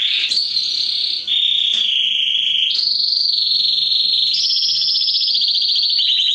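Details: Song of a mosaic canary used to stimulate mating and teach chicks: long sustained whistled tours stepping between pitches, each held about a second or more, ending in a fine rapid trill.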